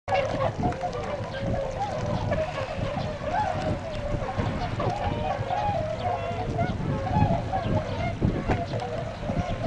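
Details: Tundra swans at Otakarada retention pond in Azumino, Nagano, Japan, photographed February 22, 2013, heading out to feed in nearby rice fields; many overlapping honking calls around a steady mid pitch, with heavy low rumble beneath.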